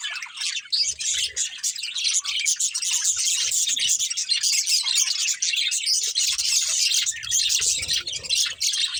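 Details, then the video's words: A crowded, steady wash of high, twittering budgie chatter runs throughout while the birds play, with faint low rumbles toward the end. "Cute Budgies Chirping Sounds"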